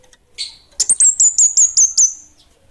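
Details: Orange-headed thrush (kemade), called bunga api kecil, singing energetically: one buzzy note, then seven sharp, very high slurred notes in a quick, slightly falling series.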